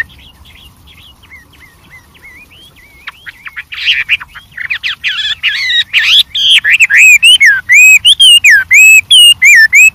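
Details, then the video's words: White-rumped shama singing in the wild with great variety: faint whistles build into harsh, buzzy bursts, then give way to loud, rhythmic looping whistled phrases repeated rapidly. "suara Burung Wambi Gacor Variasi Banyak dialam liar"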